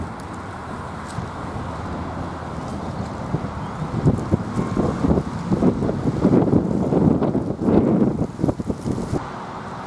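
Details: Gusty wind buffets the microphone, with rushing low noise that swells in the middle, and no animal voice.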